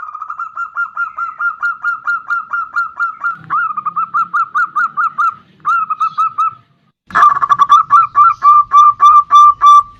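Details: Zebra dove song used to get other birds singing: a long, fast, even string of clear coo notes, a short break, then a louder resumed run with a click at its start.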